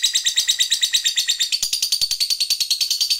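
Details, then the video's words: Lovebird in ngekek panjang, the long chatter that provokes rivals: fast, even, buzzy pulses at about eight per second, high and metallic, without a break. "Suara Lovebird ini Paling Bagus Buat Pancingan Lawan EMOSI Ngekek Panjang"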